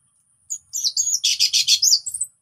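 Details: Orange-headed thrush song meant to coax silent birds into singing: under two seconds of fast, high chirps building into a dense, repeated trill-like series of bright notes, then a few trailing whistles.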